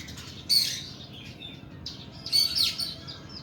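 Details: Two loud rasping bursts with bright whistled peaks, about two seconds apart: the coarse 'nembak' song of a kacer kuku bima oriental magpie-robin.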